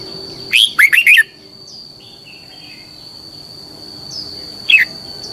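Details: Red-whiskered bulbul giọng kép xoắn dài decoy song. One loud phrase of four quick twisting whistles is followed by a quiet gap with faint chirps. A single clear note comes near the end. A steady high-pitched tone runs across the whole clip.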